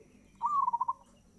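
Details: Single fast-tempo phrase from a zebra dove, opening with a short rising whistle and rolling into five or six rapid, bubbling coo pulses that end abruptly; quiet background otherwise.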